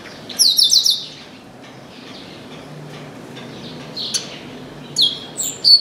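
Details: Chestnut-capped blackbird in an orange tree: a rapid trill of clipped high notes opens the clip, a quiet pause follows, then sharp chirps and bright whistled notes return toward the end.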